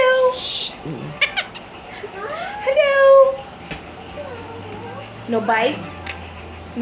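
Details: Five-month-old pet Quaker parrot that repeats everything it hears, talking indoors: a run of short, nasal, speech-like syllables with rising and falling whistled inflections, mixed with a person's voice and a low steady hum.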